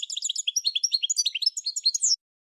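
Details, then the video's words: A goldfinch pours out rapid high twittering notes, bright chirps strung closely together for about two seconds before stopping abruptly, then silence. "Goldfinch Singing - Amazing Singing"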